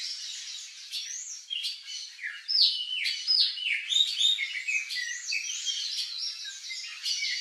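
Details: Turquoise-fronted amazon, a wild bird of Brazilian wooded habitat, calling with a rapid jumble of harsh squawks, sliding notes and short whistled tones, several overlapping.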